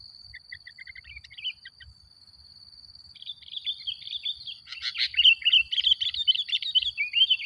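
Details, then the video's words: Sooty-headed bulbul song played to provoke other bulbuls: a few soft piping notes, then a swelling, continuous stream of rapid twittering and bubbly chirps growing louder toward the end, over a steady high whine. "Suara Burung Kutilang Gacor Paling Ampuh Untuk Pancingan"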